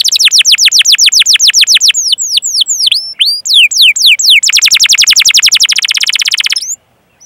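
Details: Canary tutor recording with long chirping calls and rolls, played to prompt young, untrained or silent canaries to sing: a fast run of sharp downslurred chirps, slower swooping whistles, then a dense rattling roll that ends abruptly.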